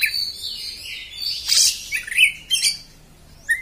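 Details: Oriental magpie-robin delivering a continuous rough beset song. Buzzy, rasping warbles run unbroken, with loud harsh peaks and a closing upward whistled note.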